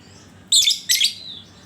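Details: Lovebird used as a lure so other lovebirds sing: two loud, rasping, high chirps in quick succession, the second trailing into a thin whistle.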